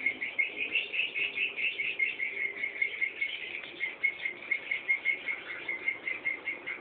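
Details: Young swiftlets calling for a returning parent with a steady, pulsing run of thin, high chirps, evenly repeated and overlapping into a continuous chorus.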